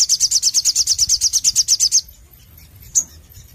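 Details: Sogon (Ruby-cheeked sunbird) in full 'nembak nglaper' song. About fifteen piercing, high notes are rattled off evenly in two seconds, then stop. One lone high chip follows over a faint low hum.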